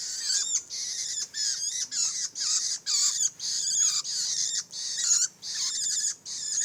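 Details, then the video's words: Young long-tailed shrike giving harsh, buzzy, high-pitched calls in rapid bursts of about half a second, separated by short pauses, repeated steadily throughout with no other clear sounds. "anakan burung pentet"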